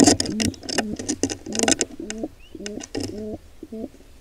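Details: Wild pigeon at a nest as an intruder pair attacks a nestling; scuffling and flapping noises open, then a run of low looped coos.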